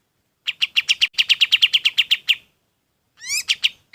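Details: Golden-bellied gerygone singing for use in training other birds: about fifteen quick, high staccato notes, then a pause and a few different upward-sweeping, rising notes.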